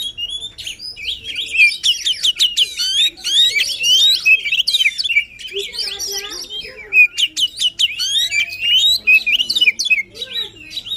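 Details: Long, intense White-rumped shama song for rousing a silent shama: continuous mix of sharp chips, rapid rattles, whistled slurs and scratchy notes, delivered in dense bursts with short pauses.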